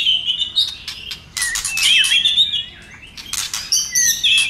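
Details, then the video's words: White-rumped shama in a fired-up state, tail flicking, sings fast bright whistled phrases around high pitch with hooked slurs. Sharp percussive clicks are interspersed, and there is a brief quieter pause midway. "Chòe Lửa Tạch Kích Chòe lửa hót"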